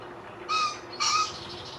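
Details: Chestnut-cheeked starling singing on 14 May 2021, an unfamiliar voice to the recordist: two short, clear notes about half a second apart, the second brighter and more complex, over quiet background hiss.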